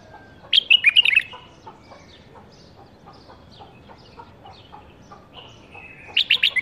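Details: Caged bulbul bred in captivity during the 2018 season gives a loud warbled burst, then soft scattered ticking chirps, then another bright phrase of rapid liquid notes at the end.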